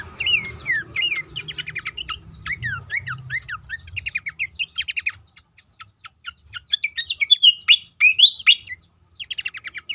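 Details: Horsfield's babbler song as a stimulation recording for caged birds: long sequence of rising and falling whistles interwoven with fast chip trills, a brief pause, then bright twisting notes and more chipping.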